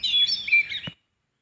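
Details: Sooty-headed bulbul in the wild: a single rich, warbling whistled phrase lasting under a second, ending with a soft knock, then silence.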